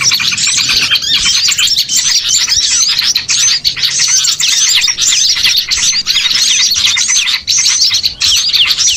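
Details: A noisy mass of small birds played to draw birds in for catching: crowded high-pitched tweets and short rising and falling chirps pour out constantly, with brief dips in the din every couple of seconds.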